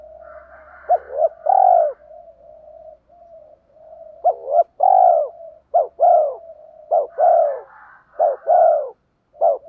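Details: Morning calling by a decoy spotted dove to lure wild birds: rapid run of about six mellow phrases, each two quick notes then a drawn-out coo, joined by a soft continuous purring murmur.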